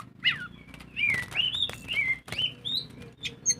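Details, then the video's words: Oriental magpie-robin singing a lure song in the ngobra style: clear, slurred whistles rising and falling, some drawn out, broken by sharp clicks and wing-flutter-like noises over a faint low hum. "Pancingan burung kacer gacor full ngobra"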